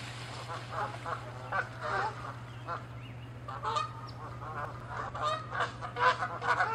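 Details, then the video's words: Territorial Canada geese fighting and chasing; irregular, fast series of harsh honks, a little over two per second, growing louder and denser toward the end over a low background hum. "Geese fighting & honking loud sounds"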